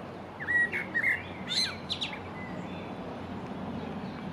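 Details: Common blackbird (Turdus merula) singing on the stump of a sawn-off branch beside the Long Water gives one mellow, fluted warbling phrase ending in a thin, squeaky twitter, then falls silent over a steady low outdoor hum.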